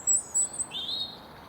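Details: European robins singing beside the Grand Union Canal near Berkhamsted, Hertfordshire, on a calm, pleasant late February day: thin, very high sweet notes, a short sliding phrase then a lower warbled trill, over quiet background.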